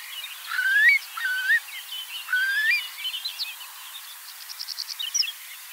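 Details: Eurasian curlew (Numenius arquata), Germany, gives three clear, rising whistled calls about a second apart, over a busy background of chattering and trilling smaller birds.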